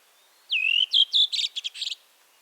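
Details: Redwing song phrase: a clear whistled note sliding down then held, followed by a quick series of repeated chirps and a final scratchy twittering flourish, about one and a half seconds long against a quiet background.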